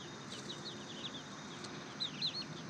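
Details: About two dozen chicks on a farm, peeping: short, high, down-slurred cheeps that overlap in quick succession, with a few louder peeps near the end, over a steady low background hum.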